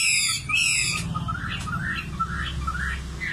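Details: Common nightingale song opening with a fast buzzy rattling trill, then a series of soft rising whistled notes repeated roughly twice per second over a steady low hum.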